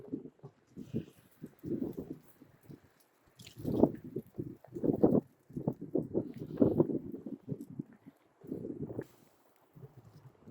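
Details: A 29-year-old Moluccan cockatoo on a windy outdoor walk chatters in bursts of mid-pitched, speech-like syllables, pausing between phrases, over wind and a person talking.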